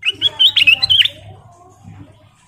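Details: Kutilang emas, the sooty-headed bulbul, sings a lure song meant to prompt other birds: a rapid run of bright, wavering whistled notes lasting about a second, then fading to quiet with a low background hum.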